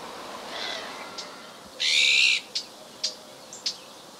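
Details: Azure-winged magpie calling in winter, 31 December 2011, in Parque Natural da Ria Formosa, southern Portugal: a loud, harsh, rasping buzz lasting about half a second, followed by three short sharp clipped notes, over faint background hiss.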